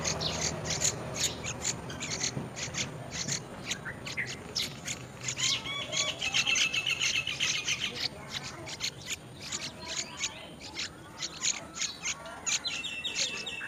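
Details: Feeding Yellow-vented bulbul putting worms in its mouth; dense run of quick clicking chirps with a short warbled phrase midway and another near the end, rapid sharp notes dominating.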